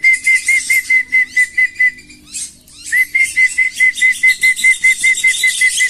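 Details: Very tame wandering whistling ducks, free-roaming birds being called for feeding and released into rice fields or swamps: clear, thin whistles repeated rapidly in long runs, broken by a brief pause with rustling and flapping.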